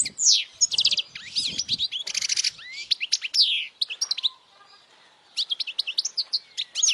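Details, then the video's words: Loud European goldfinch song meant for young goldfinches to memorise, a fast jumble of bright chirps, rising whistled notes and short buzzy rattles, broken by a brief pause before more twittering. "Jilguero cantando fuerte para memorización los jilgueros /Goldfinch singing the best chirping sounds"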